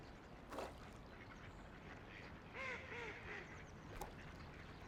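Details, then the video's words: Ducks floating and playing along a quiet river surrounded by nature give three or four nasal, harmonic quacks in a quick cluster midway, with splashes shortly before and after over a steady background of flowing water. "Relaxing Ducks Quacking by the River"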